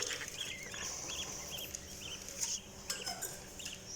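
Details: Budgies chirp with a series of short, high, rounded notes repeated several times a second over a hissy background, with a few sharper high clicks.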